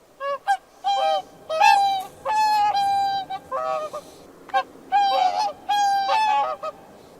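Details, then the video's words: Swan trumpeting with irregular bursts: short clipped honks mixed with longer, level, nasal notes, spaced unevenly over several seconds against a quiet background. "¡Escucha el canto del CISNE!"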